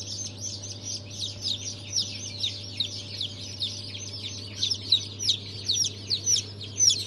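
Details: Newly hatched chicks of Brahma, Fizan, Australorp and Legbar breeds, 3 March 2023 hatch, peep steadily, the high down-slurred notes growing louder toward the end, with a low hum throughout.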